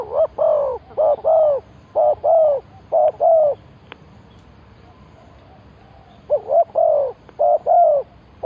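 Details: Spotted dove used as a decoy to lure wild birds, giving loud, mellow coos in tight runs of two to four, grouped into phrases with a gap of silence mid-way before a further run of coos.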